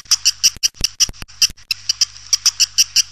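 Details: Swiftlets in a lure recording for attracting birds: a quick series of short, high, buzzy chirps, about four per second, interspersed with dry clicks, over a faint hum.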